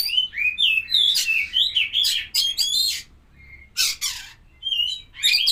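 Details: White-rumped shama being paired with a champion bird, pouring out a rich, varied song of rapid whistled slurs and harsh, high bursts, a short pause, then more scratchy phrases and whistles.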